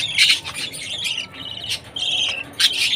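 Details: Budgerigar chick at food time, a few loud raspy squawking chirps in three short bursts over a noisy background.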